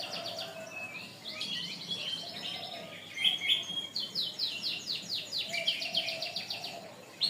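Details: Long tutor song of a canary, used for training other birds. Clear high chirps build into a quick, steady trill of descending notes repeated rapidly, over faint low warbling sounds.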